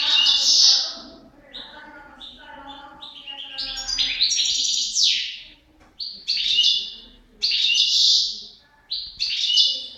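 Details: A pair of European goldfinches singing: bright, tinkling high twitters and buzzy notes in varied phrases, with louder sweeping bursts and short pauses between runs.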